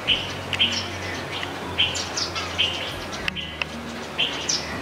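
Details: Indian silverbills, also called white-throated munias, eating grains at a backyard bird feeder in India alongside a palm squirrel; short bright chirps repeat irregularly, about a dozen in five seconds, over a faint low hum.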